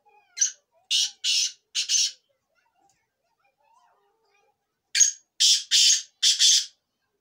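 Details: Black francolin, known locally as Kala Teetar, giving two phrases of four rasping, scratchy notes each, the phrases separated by roughly three seconds of silence, the later notes slightly longer and louder.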